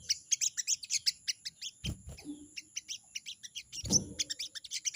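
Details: Crested jay chattering 'crecet crecet' at a rival, an unbroken fast series of short high chips repeated several times per second through the whole stretch, with two heavy thuds and a steady high-pitched electronic tone.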